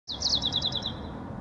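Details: A White-crowned sparrow in a backyard in Miraloma Park, San Francisco, gives a quick, high trill of about eight down-slurred chirps in just over a second, over a steady low background rumble.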